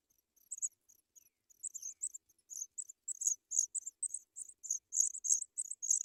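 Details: Chicks of African pipit begging in the nest while fed white butterflies: faint high squeaks at first, swelling into louder, rapid, steady high-pitched chirping.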